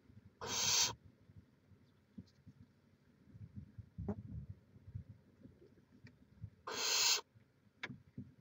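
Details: Barn owl nest in Chula Vista, California, live camera, May 2017: two long harsh hissing screeches about six seconds apart, over a background of low rustling and scattered small clicks.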